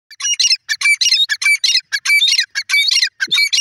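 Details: Grey francolin, known locally as dakhni teetar, giving loud harsh squawking notes in rapid bursts, about one and a half per second, each burst a rasping cluster with a short clear whistle inside, in a quiet setting.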